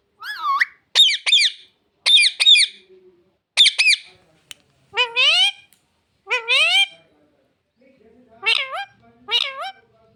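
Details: Pet parrot talking, saying words like "mummy papa": a series of short, harmonic, speech-like syllables with rising and falling inflections, delivered in pairs with brief pauses, grating in places, over a quiet background.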